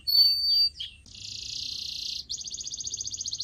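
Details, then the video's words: Softer canary song for pet-bird training: two swept whistles and a thin high note, then a hissing buzz and a quick pulsing trill. "CANARY SINGING SOUND"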